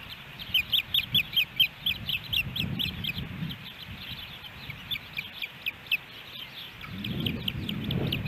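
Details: Ospreys at the Hellgate Canyon nest, Missoula, Montana, captured by nest camera on July 13, 2018, when three fish arrived. A rapid train of sharp high chirps slows and fades, then low rumbling rises at the end.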